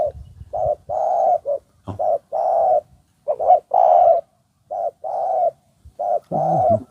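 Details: Spotted Dove calling during a decoy-trapping session in Thailand with a wild dove nearby; a long run of soft, hollow, low coos, short and long notes alternating in uneven groups, nearly continuous over seven seconds.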